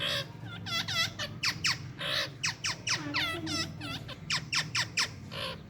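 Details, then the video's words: Parrots kept indoors call in the morning with a dense run of harsh, chattering squawks and bent whistles, almost without pause, over a steady low hum. "Parrots enjoying in morning time || and talking parrot so cute"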